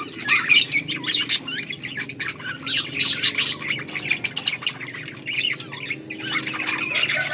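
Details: Pet budgies chirping, recorded August 14, 2024: dense bursts of scratchy warbles and sharp squeaky chirps, several birds overlapping, with brief lulls between louder runs indoors.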